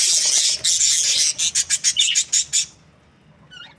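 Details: Australian budgies in breeding season, described as happy: a burst of dense, high chattering, then about nine sharp, evenly spaced chirping pulses, a short quiet gap and one faint trailing chirp.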